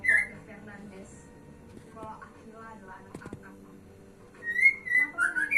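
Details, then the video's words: Male white-rumped shama in Indonesia singing: loud, clear whistled phrases near the start and again toward the end, with rising and falling slurred notes and a soft chattering stretch between, over a faint low hum. "#muraibatu#kicaumania#natgeo#kicaumanianusantara#muraijantan #muraibatuindonesia#kicaumanianusantara"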